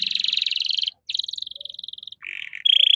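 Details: Canary masteran song for tutoring caged songbirds: long rolling buzzy trills held at one pitch, a steadier pulsed trill, then short harsher rattles ending on a bright ringing buzz.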